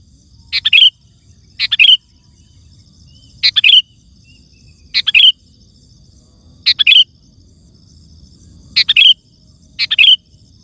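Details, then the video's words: Energetic sooty-headed bulbul song, used to attract wild birds and make other bulbuls reply; bright bursts of quick tumbling whistles come in pairs and singles through ten seconds, with a soft steady tone and low rumble behind. "Suara Burung Kutilang Gacor❗ Lantang Bikin Gacor Kutilang Lain"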